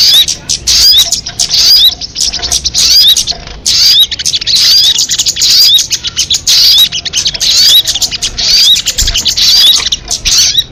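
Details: Long run of crested jay calling: steady series of harsh, buzzy chattering phrases with repeated short upslurred whistles, broken by brief gaps about every second or two.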